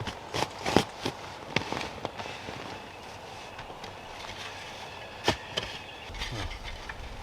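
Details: Sharp cracks and bangs scattered over a low background rumble, with no animal voice.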